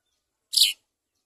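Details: House sparrows, parents feeding two chicks: a single loud, harsh chirp lasting about a quarter second, rich and high-pitched, set against silence.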